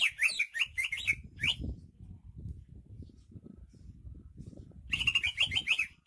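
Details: Greater green leafbird from Banyuwangi, described as a rare native bird singing energetically: bursts of sweet, rapid chirping notes near the top of the range, a quiet pause with low rumbling, then another run of warbled notes.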